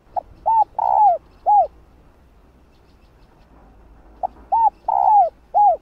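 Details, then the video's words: Female spotted dove calling to rouse males: two phrases of short pip, arched coo, long burry hoot falling at the end and a final arched coo, separated by a quiet gap of about three seconds. "Tiếng cu gáy Mái ,cu mái kích trống nghe là gáy 100%"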